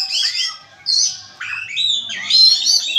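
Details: Oriental magpie-robin (kacer) delivering loud scratchy, harsh song phrases mixed with sweeping whistles, in three separate bursts with short gaps, the last one bright and sustained.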